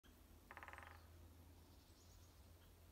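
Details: An unseen Japanese green woodpecker at a mountain trailhead (Mount Haruna-Fuji) drums one quick roll of about ten hollow taps in half a second, over a steady low background rumble.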